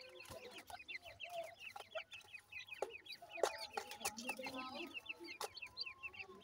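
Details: Many grey francolin chicks peep rapidly and unevenly, a steady stream of thin descending cheeps with a few low murmurs and clicks in the background.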